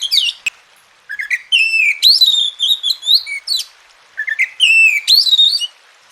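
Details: Tutor and therapy recording of Oriental magpie-robin song meant to make reluctant birds sing: a loud sweet phrase of rising whistles and quick upslurs, sung twice about three seconds apart with a short silence between.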